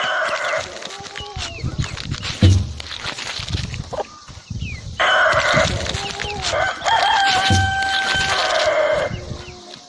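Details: Crowing rooster among busy farmyard noise, with clucks and rustling. Long, level, harmonic crows stand out in the second half over the background.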